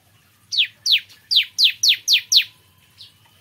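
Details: Morning song of a bar-winged prinia: seven loud, sharp notes, each dropping steeply in pitch, delivered about four per second, then one faint extra note after a pause; a soft low hum underneath.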